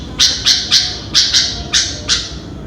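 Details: ['Sooty-headed bulbul in the morning giving harsh, hoarse squawks, seven rasping bursts in under three seconds at a fairly even rhythm.']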